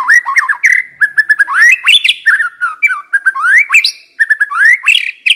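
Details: Decoy White-rumped shama delivers a continuous, lively song of rising whistles, quick slurred notes and short chips, packed closely together with only tiny pauses.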